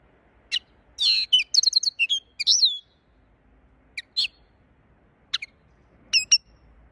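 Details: Linnet song: bursts of quick, high twittering notes and short trills, with a buzzy warble near the start, then scattered sharp chirps separated by pauses; quiet background.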